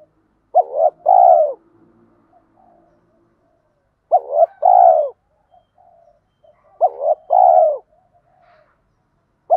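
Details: Spotted dove pair, cock and hen, calling to excite birds in training: three loud phrases about three seconds apart, each two clipped notes leading into a sustained falling coo, faint low hum early on.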